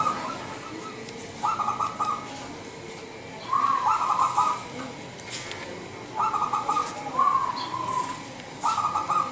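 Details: Indonesian local zebra dove calling as a lure for other doves: five rhythmic bursts of bubbly trilled cooing spaced roughly two seconds apart, with light background noise.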